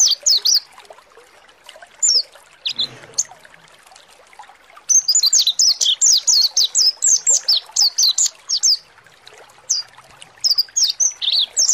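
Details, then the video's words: Mountain white-eye, pleci monty, used as a lure to provoke singing: bursts of rapid high, thin descending chirps, a few at the start, then a long dense run of twittering notes from about five seconds on, with faint trickling water behind. "PANCINGAN PLECI MONTY NGALAS BUKA PARUH"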